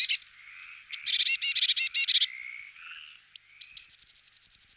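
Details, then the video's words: Eurasian blue tit, a burst of buzzy chatter followed by thin high notes and a fast even trill of bright repeated notes. "Parus caeruleus"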